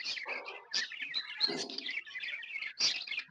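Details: Happy pet budgerigars chirping: a dense, continuous chatter of short bright twittering notes and warbles, overlapping calls with occasional louder sharp chirps, as from several birds together indoors.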